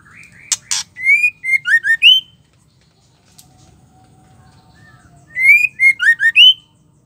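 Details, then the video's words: Female white-rumped shama song, used to stir male shamas into angry, lively singing. Two sharp clicks, then a run of clear whistled notes: a long rising whistle and quick downslurred phrases. After a hushed gap the same sequence repeats. "Murai batu betina gacor pembuat emosi bikin murai lain emosi ngamuk gacor"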